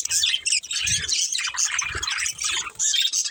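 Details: Pet budgerigars from a breeding pair chirp and warble continuously, a busy high scratchy chatter over faint low bumps.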